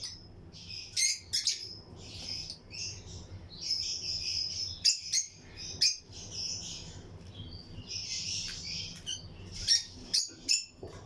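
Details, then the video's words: Pairs of lutino lovebirds in a flight colony aviary for breeding, other birds nearby. Near-continuous high, squeaky chatter with sharp clicks and chirps throughout, a faint low hum underneath. "Lutino Lovebirds Breeding Colony Cage - Chirping and Relaxing Sound"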